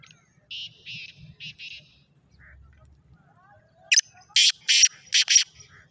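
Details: Calling Black francolin (Kala Sindhi or Sahiwal teetar), 14 March 2024: a quieter rasping four-note phrase, a pause, then a louder harsh phrase of about five rapid grating notes; faint low rumble in the background.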